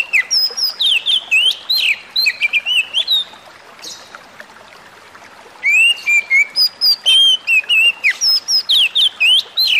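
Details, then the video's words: Oriental magpie-robin (kacer) singing, therapy audio meant to calm stressed birds: rapid bursts of sweet whistled and chattering notes jumping between pitches, a quiet gap of about two seconds, then another long energetic run of varied whistles. "burung kacer lain dengar suwara ini pasti langsung emosi"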